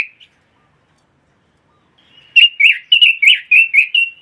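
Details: Pekin robin, kept as a competition songbird, gives a short note, falls silent for two seconds, then sings a quick series of about seven bright, rolling warbled notes.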